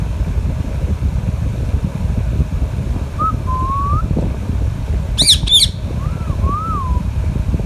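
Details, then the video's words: Alexandrine parakeet while eating mango: soft low wavering whistles, a pair of sharp harsh squawks, then two more gentle arched whistles, over low background noise. "Alexandrine Parrot and Ringneck parrot talking natural sounds"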